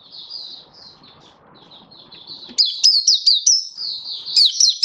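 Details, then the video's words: Oriental white-eye (mata puteh) in happy 'buka' song, recorded 24 February 2023: soft high warbling at first, then from mid-clip loud sharp high chirps with downward slurs, rapid and uneven, about two per second. "Mata Puteh Happy Buka Sing"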